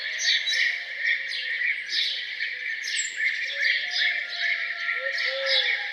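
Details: Birds sing their morning songs around a farmhouse: a dense, steady chorus of bright chirps, twitters and quick trills, with a few lower drawn-out whistles near the end.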